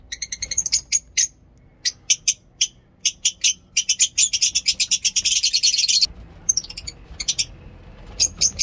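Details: Lovebirds chirping at a mini zoo in the morning: steady high, clipped chirps speeding into a dense buzzy chatter, then pausing before a few more sharp notes.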